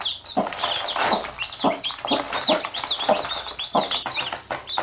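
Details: A hen with her brood, chicks biting her and the hen picking at them: gruff low clucks roughly every half second beneath lively high peeping from the chicks.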